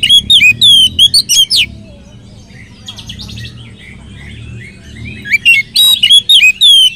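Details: Oriental magpie-robin song used as a lure to make other magpie-robins sing: bursts of loud, varied whistled phrases and rapid chirps at the start and end, with a quieter stretch of softer notes and faint low hum in the middle.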